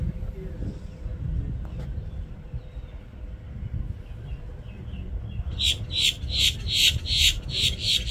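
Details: Common grackle calling on 17 September 2024 at Jetty Park, Cape Canaveral, Florida: after several seconds of low outdoor rumble, a series of harsh, grating, high-pitched notes repeated about twice per second.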